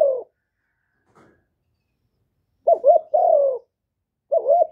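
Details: Spotted dove from Vietnam giving cooing phrases recorded live to stimulate newly caught birds; the tail of one coo, then a full phrase of a stuttered double note and long falling coo, and another beginning.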